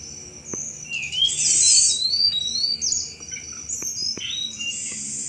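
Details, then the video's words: Sunda robin cetrekan song, a chattering lure for thrushes: swooping high whistles and a bright rising sweep, followed by quieter scattered notes and faint ticks. "tledekan gunung gacor cetrekan cocok buat mancing segala jenis anis"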